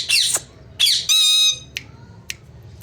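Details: A talking Indian ringneck (rose-ringed) parakeet gives two harsh, raspy squawks, then a brief, high, nasal, word-like phrase, followed by a few sharp clicks in a small room.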